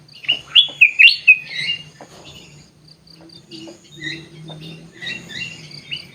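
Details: In an aviary, a sooty-headed bulbul gives a quick series of four or five bright, gurgling notes at the start. Softer twittering and a steady low hum fill the remaining seconds.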